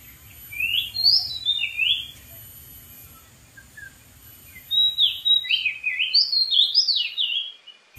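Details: Wild Oriental magpie-robin delivering vigorous song from a dead tree: quick sliding whistles and warbled phrases, a pause with a few soft notes, then a longer, busier run of varied whistles.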